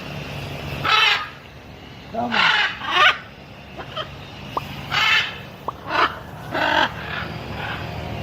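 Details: Harsh, hoarse macaw squawks repeated roughly every second, grouped in twos and threes, with brief thin whistled notes between bursts and a low steady hum behind.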